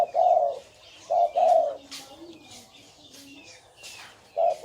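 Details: Spotted dove giving deep, mellow paired coos, then a pause filled with soft rustling and faint high twittering before one more short coo closes the phrase.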